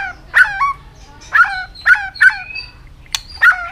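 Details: White-rumped shama in peak singing form, flicking its tail continuously. Spaced harsh, grating notes with buzzy overtones come irregularly, about five over four seconds, plus one sharp click.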